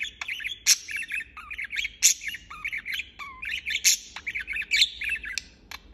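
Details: Continuous budgerigar chirping, dense warbled chatter punctuated by about five loud, shrill squawks and a short low whistle near the middle.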